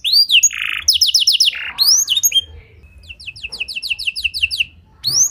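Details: Canary song filled with blackthroat-type phrases for luring and tutoring: a short buzzy burst, rising whistled sweeps, then a quieter series of evenly spaced high chirps in a steady run.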